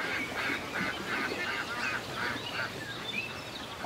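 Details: Ducks at a country lake giving a steady run of harsh, nasal quacks, roughly three per second and fairly even in rhythm, over a faint background of small birds chirping.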